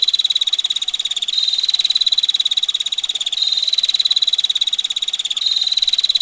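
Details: Female bar-winged prinia calling in the ngetir style, a continuous rapid train of high, harsh ticks with small shifts in loudness every two seconds or so, over a background hiss like running water.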